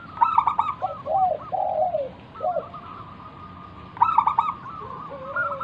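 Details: Local zebra dove in vigorous song used as a lure for other doves: stuttering trilled notes giving way to low falling coos, a pause, then another quick rattling phrase ending in gentle rising and falling coos.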